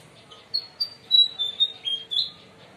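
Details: A White-throated fantail (Rhipidura albicollis) calls, giving a quick run of about seven thin, high, squeaky notes, the last few slurring downward, over a faint low hum.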